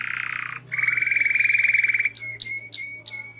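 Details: Small-bodied canary with a loud, melodious, varied voice in constant song: a harsh buzzing trill, a long rattling buzz, then four sharp, high, clipped notes evenly spaced. A faint low hum sits underneath.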